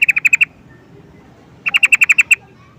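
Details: Trucukan, the sooty-headed bulbul, calling with two quick bursts of sharp, evenly spaced chattering notes, six in the first and eight in the second, separated by a short silence.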